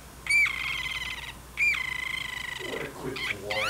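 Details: Caged pet parrotlet chatting back and forth with its owner in a kitchen while dishes are washed, running through its vocabulary: two drawn-out, buzzy, harmonic-rich utterances, then quick rising chirpy syllables at the end.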